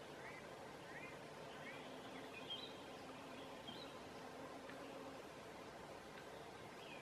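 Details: At midsummer in Southern Savonia, Finland, a song thrush sings through the night, fairly distant: short rising whistled notes given in repeated pairs and triplets, then higher varied phrases, against constant low rumbling noise.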